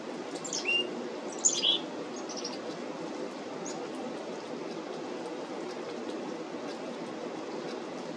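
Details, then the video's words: Black-capped Chickadees at a feeder on 17 July 2025: a few thin, high chips and short slurred notes in the first two seconds, then a steady low rushing background noise. "Black-capped Chickadees making cute sounds"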